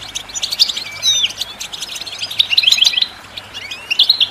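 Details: Goldfinch singing, meant to stimulate other birds to sing: quick bright tinkling twitters with a few sliding whistled notes, then a clipped burst of liquid chirps after a short lull.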